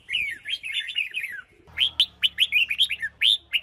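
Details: Female red-whiskered bulbul from Huế singing to stir wild-caught males into song: a rapid run of slurred, warbling whistles, then a string of bright upswept notes at a steady pace, over a faint low hum.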